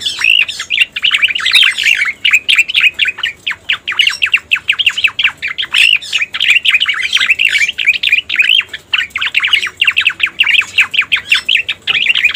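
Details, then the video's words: Luring recording of a striated grassbird: sustained, rapid chattering song of crowded chirps and warbled notes running on for many seconds with only tiny pauses. "Suara Pikat Burung Cica Koreng | Masteran Cucak Koreng Full Ampuh"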